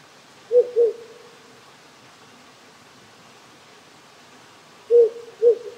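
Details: Rural Japan on a cold night with few insects or frogs: a wild owl gives a paired hoot, pauses about four seconds, then another double hoot, all low and rounded against a gentle stream hiss.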